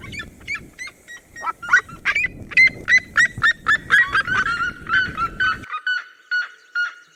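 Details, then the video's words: Two Red-legged seriemas overlap in a Cerrado duet, their sharp, ringing yelps piling into a dense, rapid chorus before one voice trails off into steadier, lower yelps. Low rumbling noise sits underneath. "CHAMADO E CANTO EM DUETO DA SERIEMA - SERIEMA DO CERRADO"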